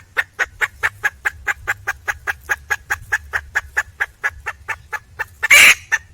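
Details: Red junglefowl hen, wild, calling for a male partner: rapid regular clucks repeated several times a second, ending in a sudden loud, harsh squawk.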